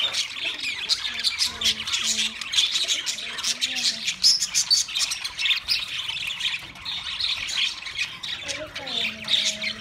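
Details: Busy budgerigar chattering of high chirps and squawks, joined by short lower warbled notes, ending with a drawn-out descending whistle-like call.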